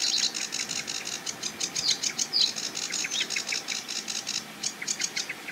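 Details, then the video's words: Sedge Warbler singing from a treetop on the edge of a marsh with a reedbed; fast, scratchy chattering song of rapid repeated dry notes with occasional higher whistled slurs, continuous throughout. "SEDGE WARBLER Singing & Calling"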